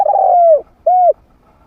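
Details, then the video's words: Trained medium-voiced spotted dove, used to lure wild doves to fight. A drawn-out, slightly rolling coo that falls at its end, followed by one shorter rounded coo in a quiet setting. "เสียงนกฝึก นกเขาใหญ่เสียงกลาง"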